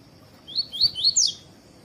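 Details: Tui-tui song of a double-collared seedeater (coleiro), meant to warm up other birds: four fast upslurred whistles, the last higher and sharper, over a faint steady hiss.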